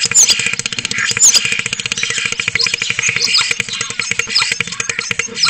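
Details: Spotless starling recorded by a webcam in Cabañeros National Park, Spain, giving a fast mechanical rattle of clicks mixed with thin high whistles and scratchy notes, with a constant low hum underneath.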